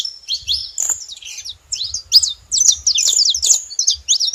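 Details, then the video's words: Saffron finch, known locally as canário-da-terra, making noise: bright high chirps and short sweeping notes in quick irregular bursts, some overlapping as if from more than one bird, with faint low rumbling underneath. "Canário da terra fazendo barulho"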